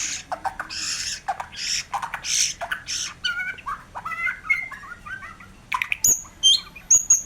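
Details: White-rumped shama in lively 'gacor' singing: broad buzzy bursts in the first three seconds give way to clear whistled slurs and rising notes, then sharp high whistles near the end.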